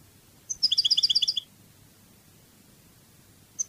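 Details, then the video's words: Cádiz-style song of a European goldfinch: a quick burst of ringing, twittering notes in paired high-low steps lasting under a second, then silence until a new phrase begins at the end. "CANTO DE JILGUERO CADIZ شريط لغة الحسون الإسباني قادس"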